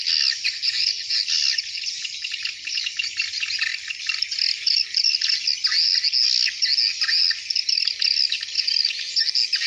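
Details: Hundreds of swiftlets returning to the nest at dusk, a dense, continuous wash of high twittering and chirping calls with no pauses.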